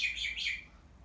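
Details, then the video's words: Caged black-headed caique giving a contact call to summon its owner while the cage is being washed: two or three harsh, squealing notes that swoop up and down, run together, then fade into a quiet indoor background. "呼び鳴き(Black Headed Caique)"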